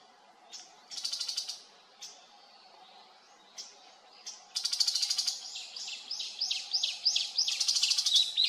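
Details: Tiger shrike recorded during birdwatching in Haenam, South Korea: scattered short sharp notes, then a fast burst of harsh chattering notes repeated several times a second, with a steady low hum behind.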